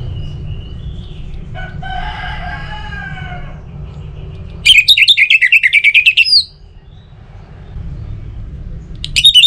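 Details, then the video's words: Orange-headed thrush giving lure song to prompt other birds to sing: after soft tonal sounds, one long rapid run of varied whistled notes, then a new phrase begins at the end, over a low hum. "ANIS MERAH Untuk Suara Pancingan Burung Agar Rajin Bunyi Ngeplong Pagi sampai Sore Hari"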